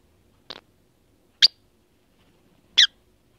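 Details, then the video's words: A lovebird gives three short, shrill squeaky chirps about a second apart, the first softer and the last two sharp and piercing, against a quiet background. "Lovebird Making Odd Noises"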